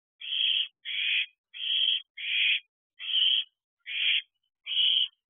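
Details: Hungry owlet on a roof near an owl box at night, 12:21 am, fledged at about week 13 before dispersal; harsh hissing screeches repeated roughly every 0.7 seconds, steady and insistent, with no other sounds.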